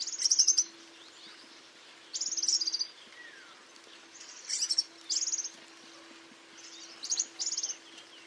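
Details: European Serin delivering its song as repeated short bursts of very high, rapid, buzzy-jingling notes roughly every one to two seconds, with a faint steady low hum throughout.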